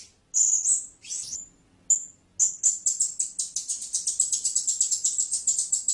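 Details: A few sharp high squeaks from a blue-crowned hanging parrot, then an accelerating, steady series of thin, shrill pulses, about four per second.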